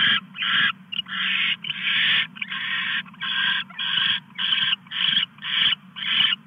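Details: Owl at night while a male brings a mouse to his mate; long raspy hissing screeches, some drawn out, then shorter ones roughly every half second, over a low electrical-sounding hum.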